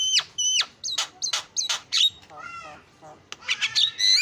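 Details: Javan myna alternating crisp downslurred whistles and harsh calls, a softer chatter in the middle, then bright rising whistles and clicks closing the isian song.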